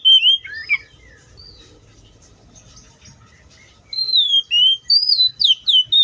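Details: In the wild, an Oriental magpie-robin gives a few quick twisting whistles, goes silent for nearly three seconds over a soft low rumble, then bursts into a lively series of clear, up-and-down whistled notes.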